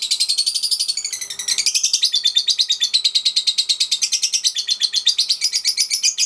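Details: Lovebird, a Pasjo-type bird 3.5 months old, in daily training for ngekek song: a long rapid chatter of high harsh notes repeated about three times a second, with a brief pause and sweep near the middle before the trill resumes.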